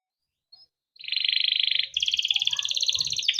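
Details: Caged male canary in Indonesia delivering a rolling 'ngerol' passage for coaxing other canaries: a dense rapid buzzing trill held about a second, then a higher continuous roll, with faint low background noise.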